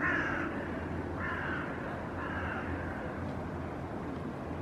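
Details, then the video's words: Hooded crows vocalizing while mobbing a young northern goshawk on a rooftop railing; three hoarse caws of moderate loudness, spaced about a second apart, fading into steady low background noise. "Goshawk perching on rooftop railing, being intimidated by Hooded Crows"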